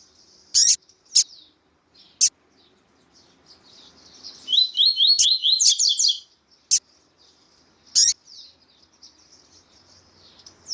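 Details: Double-collared seedeater, with a female calling, gives sharp, high chips at irregular intervals and a brief burst of rapid rising twitters in the middle, over a faint hiss, used to stimulate male birds.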